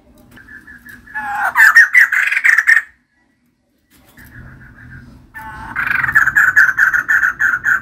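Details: Female white-crested laughingthrush singing: soft repeated notes swell into a loud chattering run, a brief silence, then another long rhythmic series of strong, evenly spaced harsh notes.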